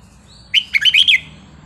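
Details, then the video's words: A single lively song phrase from a red-whiskered bulbul: a fast sequence of five or six loud, cheerful whistled notes sweeping up and down, with a low hum beneath. "นกกรงหัวจุกสายนับดอก เพลงป่า สำนวนเพราะๆ"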